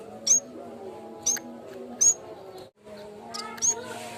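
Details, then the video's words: Lure and training recording of a yellow-bellied warbler (cikrak bambu): four piercing, very high, brief chirps about a second apart, set against a continuous low drone and a short gap of silence. "BUNYI BURUNG CIKRAK BAMBU"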